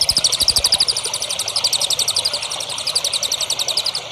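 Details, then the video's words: Training song for prospective champion songbirds, recorded from one songbird: a steady run of quick, bright, high chirps repeated several times a second throughout, with faint low rumbling underneath. "MASTERAN BURUNG HANDAL UNTUK CALON BURUNG JAWARA"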